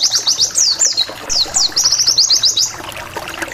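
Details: Wild white-eye lure song in the ngalas 'sambung nembak wit wit wit' style, used to anger rival white-eyes into answering: high thin whistles, downslurred sweeps then fast runs of sharp chirps, about four per second, over a faint low hum.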